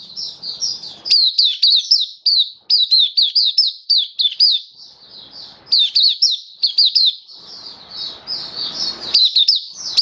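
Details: Kept Oriental white-eye tested on its seventh day with a song booster, singing a rapid, high twittering run of sweet, slurred notes in bursts with brief pauses, plus faint room noise.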